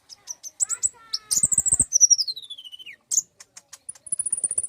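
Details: Common iora song used as a lure to prompt other birds to sing: a mix of sharp high chirps, a sustained high trill, and a long whistle sliding steadily downward, ending in scattered ticks and a thin high buzzy note.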